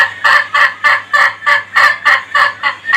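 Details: Rapid pulsed crowing from an Ayam Ketawa, or laughing rooster: about ten evenly spaced harsh, rich syllables in three seconds, giving a chuckling, laugh-like rhythm over a faint low hum.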